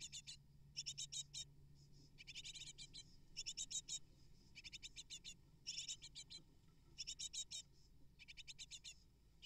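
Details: Begging great tit nestlings, eight in the nest, as parents deliver prey: regular bursts of rapid, high, rasping notes about a second apart, over faint low hum.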